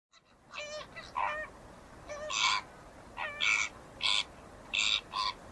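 A flamingo gives a run of nasal, goose-like honks, about eight short bursts in quick, uneven succession, over a soft background hiss.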